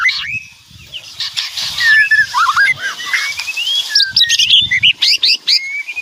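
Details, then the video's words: Lively White-rumped shama song of looping whistles, long gliding notes and quick sharp chirps, over soft low background noise. "Suara Kicauan Keras Murai Batu Meriah Full Isian"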